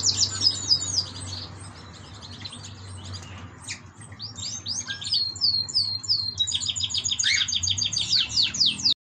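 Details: Captive canary chick of yellow parents, the only one of three to survive nest fighting: varied high twittering song of sweeping notes and fast trills, pausing briefly midway before a louder trilled passage.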